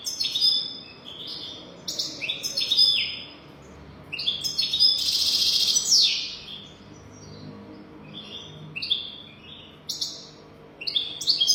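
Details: A European goldfinch in golden-throat style, recorded to teach young goldfinches, pours out bursts of bright twittering and rattling buzzy trills, with short pauses between lively phrases.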